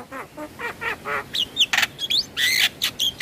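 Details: Javan myna vocalising in a recording played as therapy for stressed birds: a series of nasal, wavering notes followed by harsh squawks and short whistles.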